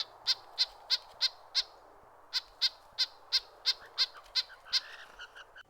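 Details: A Red-breasted Nuthatch gives a rapid run of nasal, tinny yank notes, about three per second, with a brief pause midway, an agitated or threatened call often given while flickering its wings.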